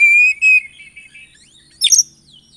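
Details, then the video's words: Brief passage of Oriental magpie-robin song, packed with varied phrases, played to rouse other magpie-robins: two clear, loud, slightly wavering whistles followed by soft warbling, a pause, then a harsh buzzy double burst. "TERAPI KACER GACOR ISIAN ATASI KACER MACET BUNYI LANGSUNG NYAUT BUKOR EMOSI"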